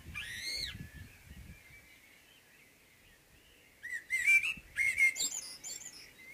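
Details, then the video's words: Blackbird morning song opening with a loud, high slurred note, a lull of soft distant twitters, then a mellow rolling warble mixed with thin squeaky notes. "Morgensang - Solsort - Blackbird"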